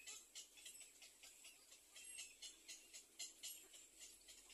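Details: Little egret chicks in the nest waiting for food, giving a rapid, dry, clicking chatter of high, scratchy pulses, about four per second, rising and falling in loudness throughout.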